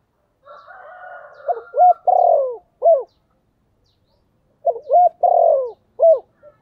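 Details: Two cooing phrases from a decoy spotted dove calling to attract wild birds, about three seconds apart, each with quick opening notes, a long falling coo and an abrupt end note; a faint low hum precedes the first.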